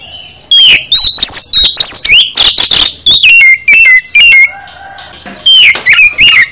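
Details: Oriental magpie-robin full song meant to prompt caged birds to sing, with loud rising whistles, harsh raspy bursts and quick varied phrases delivered in dense runs with short gaps.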